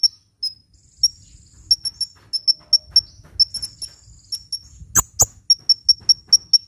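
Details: Hummingbird singing, played to lure birds and prompt reluctant singers: spaced, high, tinny chirps that grow quicker toward the end, with two loud clicks near the middle.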